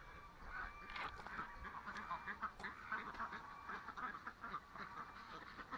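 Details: Small domestic duck recovering on antibiotics, now standing tall and walking better on a farm in August; soft, irregular quacks and honk-like calls around it, fairly quiet and mixed with other waterfowl.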